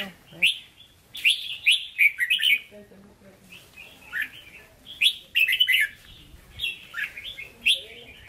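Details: Red-whiskered bulbul in a cage giving hót ché song in Hue style: quick, jumbled chirps and slurred whistles in phrases about four seconds apart, punctuated by crisp clicks.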